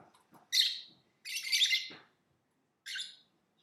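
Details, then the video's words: Lovebird singing and chirping indoors: a short rasping chirp, then a longer, denser buzzy squawk lasting about half a second, a gap, and another brief harsh chirp, with soft clicks in the background. "Lovebird Singing & Chirping Sounds"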